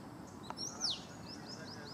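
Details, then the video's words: Male Oriental magpie-robin mimicking a Red-whiskered Bulbul: one bright, loud whistle sliding steeply down, then a run of faint, quick downslurred notes trailing off, over a soft background hiss. "Oriental Magpie-Robin mimics Red-whiskered Bulbul"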